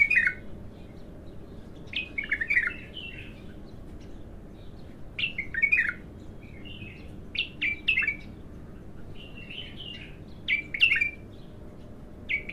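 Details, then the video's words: A raw bulbul in its first full song, giving a run of separate fluty phrases of slurred whistles and quick chirps, spaced by brief pauses, against steady low-pitched background noise. "تغريد الابتر خام اول فتحـه له"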